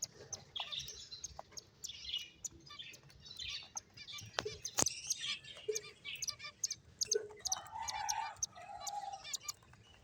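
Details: Finches playing together give scattered high chirps and short buzzy phrases, quieter overall, with a couple of sharp clicks and a lower warbling note late on.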